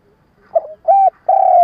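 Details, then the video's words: Spotted dove lure call used to draw wild doves for trapping: a short soft note, then two steady low coos, the last one long and slightly falling. "Tiếng cu gáy mồi cà lăm gù - gáy - thúc kích bổi nhanh nổi / Cu gáy kích bổi nghe là gáy"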